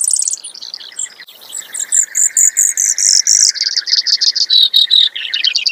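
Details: Extended canary-like song of a Brewer's sparrow, high sweet notes dropping into a long series of evenly spaced buzzy pulses, trill speed and pitch changing several times.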